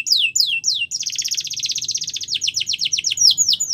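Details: Canary singing a training song: three loud falling whistles, then a long fast rattling trill of rapid notes that slows into separate downslurred chirps.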